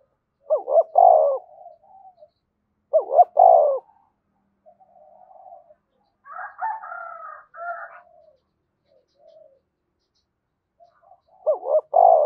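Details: Spotted dove of Đồng Nai giving calling and urging coos used to excite doves: loud wavering double coos repeated every few seconds, soft murmurs between, a rougher rolling phrase midway, quiet surroundings.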